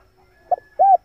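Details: Fragment of a male spotted dove's lure call: a short muffled note followed by one smooth, arched low coo, clean and quiet.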